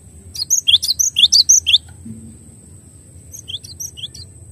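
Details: Cinereous tit tutor song: a quick burst of sharp, high, falling whistled notes for over a second, a pause, then a softer, fainter run of similar notes, with a constant thin high whine and low hum.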